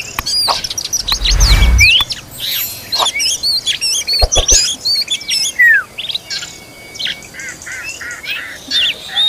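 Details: Oriental magpie-robin feeding its children: quick curled and hooked whistles mixed with busy high chirps, a brief rustling burst and sharp clicks early, ending in a short row of clipped notes.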